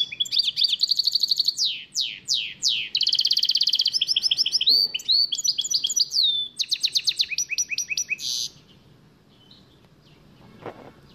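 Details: A bandook, or hybrid finch, delivers Shami-style song: about eight seconds of unbroken, rapid trills alternating with swooping whistled sweeps and rolling phrases, varying in pitch, then ending abruptly into near silence.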